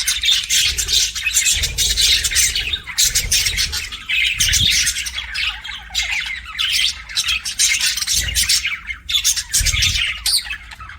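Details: Pet budgies give loud, harsh squawks and scratchy chirps in a dense high wash, with occasional low thumps and knocks beneath.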